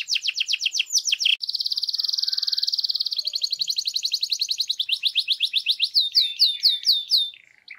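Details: Canary singing a loud, fast song: rapid repeated notes in long rolls, a steady trill, then quicker upslurred whistles; clean recording with no other sounds.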